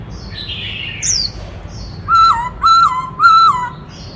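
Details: Forest black-throated laughingthrush singing a varied, many-voiced song: faint high slurred notes, then three loud, clear whistles, each held level and then dropping, spaced about half a second apart.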